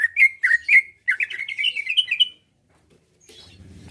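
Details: Kept greater green leafbird singing to provoke other leafbirds to answer and fight: a quick run of bright chirping whistles, rising slightly in pitch for about two seconds, then silence with faint low rumbling.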